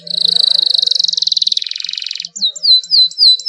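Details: Canary singing a long rolling song in a clear voice, used to stimulate reluctant canaries to sing: a fast rapid trill of high notes, about fifteen per second for two seconds, then a few upward-sweeping whistled notes.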